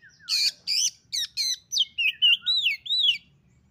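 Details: Female Oriental magpie-robin calling a male: a rapid series of about ten varied notes, harsh high chirps giving way to looping whistled slurs that rise and fall, without background sound.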